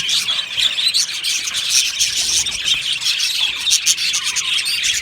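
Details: Group of Australian budgies calling in an aviary, a thick layer of high, bubbling twitters and short chirps that runs on without a break.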